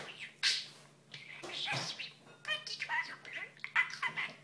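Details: A talking male budgerigar (Melopsittacus undulatus), 8.5 months old, who says more than twenty short phrases, chatters rapidly in squeaky, scratchy bursts imitating human words.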